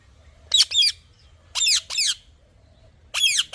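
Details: Parrot giving harsh, raspy double squawks in three bursts roughly a second apart, each note sliding downward, with a faint low hum underneath.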